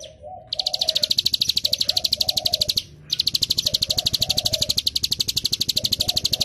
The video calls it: ciblek gunung keteran